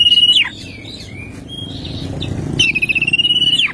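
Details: Kacer, or oriental magpie-robin, singing in the morning with 'tembakan kristal' fill-ins: a long, level, trilled whistle that drops sharply at its end, faint soft notes, then the same high, pulsing whistle again.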